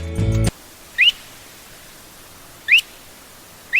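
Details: Lesser sand plover (Charadrius mongolus), featured among birds of Sri Lanka, gives short, rising whistled chirps about every one and a half seconds after a brief burst of music.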